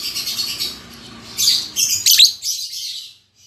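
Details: A freshly matched lovebird pair, albino MM male with lutino MM female, producing dense, screechy chirping that swells into several sharp squeaky notes before going quiet.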